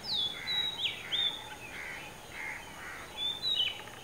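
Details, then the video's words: An Oriental magpie-robin perched about 15 m up on a dead coconut tree at Kankavli, Sindhudurg, Maharashtra, sings two bursts of clear, high whistles with quick swooping slurs, linked by softer, lower chattering notes. "Oriental Magpie Robin singing"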